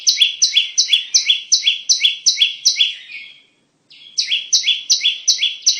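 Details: Song of the bar-winged prinia, played to lure birds into traps: a long string of rapid, piercing, two-tone chirps, a brief gap, then the same fast repeated phrase resumes.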